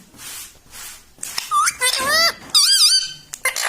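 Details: A pet parrot, shown as a ringneck, imitates speech with a string of squeaky, wavering, human-like syllables that rise and fall, after softer breathy sounds in a small indoor room.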